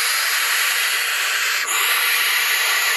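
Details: Barn owl owlets calling at the nest, three chicks hatched from five eggs at a site the parent reused from the previous year, now left alone by her. A continuous loud, rasping hiss holds steady throughout with one brief dip.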